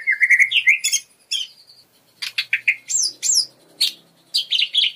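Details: Lesser green leafbird (cucak ijo mini) singing in lively gacor, full isian style: quick bursts of bright warbling and clear whistled notes, some sliding up or down, separated by short pauses.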